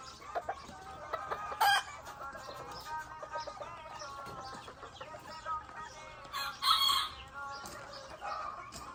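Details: Azteca roosters: two loud ragged crows, one early and one later, amid nearly constant overlapping clucks and tonal murmurs from a flock.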